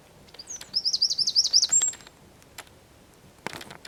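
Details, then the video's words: Eurasian wren recorded singing in San Miguel de Daño, Zamudio, early December 2019: a shrill intro leads into a fast, rattling trill of high repeated notes and a final drawn whistle; faint clicks follow. "TXEPETXA KANTUAN _2019.12.04_ Troglodytes troglodytes (Chochín común cantando)"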